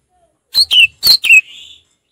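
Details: Orange-headed thrush singing in the relaxed, open ngeplong style: two pairs of sharp whistled notes slurring down from high to mid pitch, then a softer, drawn-out whistle that trails away. Background otherwise silent.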